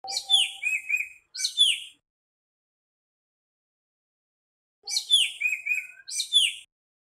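A nightingale sings two short, rich phrases of sweeping whistles and chattering notes, separated by about three seconds of silence.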